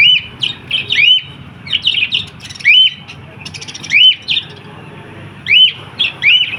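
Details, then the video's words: Lovebirds giving sharp, squeaky chirps that rise then drop, in short bursts of two or three notes at irregular intervals of about one to one and a half seconds, over a quiet low background hum. "Natural Sounds Of Love Birds"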